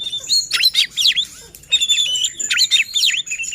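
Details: Oriental magpie-robin singing as a lure to provoke other magpie-robins into agitated, persistent song, also used as a tutor for silent or contest birds; loud, varied whistled phrases with sharp downward sweeps and high trills, repeated in quick bursts.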